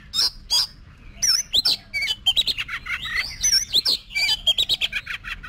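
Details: Oriental magpie-robin trained for singing contests delivers dense, energetic song: loud bright whistles, buzzy slurs and fast chattering notes tumbling together in quick succession, with a low background hum.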